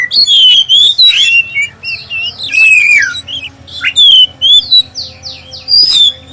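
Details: Oriental magpie-robin, black-breasted, singing a clear lure song to get fellow magpie-robins going: high, downward-slurred whistles and a series of sharp descending notes, repeated in quick phrases over a low buzzing hum.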